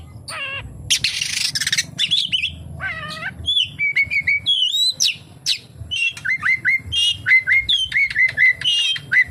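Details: Oriental magpie-robin in full song with kapas tembak fill, mixing harsh buzzy bursts, bright slurred whistles and, toward the end, a fast series of repeated clipped whistled notes.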